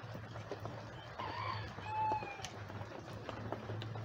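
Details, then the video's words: Rooster among free-ranging backyard chickens in a light rain shower, some hens hunting worms: one drawn-out harmonic crow rising then falling, over steady patter of raindrops and a low hum. "Chickens And Rain Sounds | Rooster Crowing"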